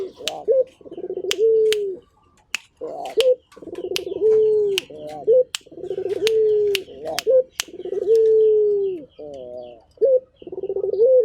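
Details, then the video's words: Turtle dove, a local Indonesian puter in full voice, delivering repeated deep coos, each a quick pulsed roll into a smooth sustained falling note and a brief rising kick, with occasional clicks between phrases. "Burung Puter Gacor"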